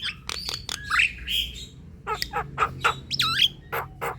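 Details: Javan myna chatter played to rouse silent birds into song: rapid clicks and rasping squawks mixed with short whistled slurs and an upward-curling whistle, steady low hum underneath.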